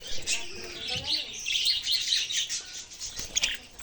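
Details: Budgerigars chirping: dense, overlapping chatter of high, buzzy twitters and short warbles from several birds, with a few softer lower notes near the start.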